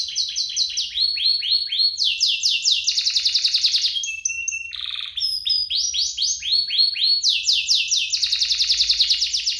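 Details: Pair of canaries singing, a recording meant to stir caged canaries into song and teach juveniles: repeated downslurred whistles, rapid pulsing trills, brief pure steady tones and chattering phrases, all high and continuous.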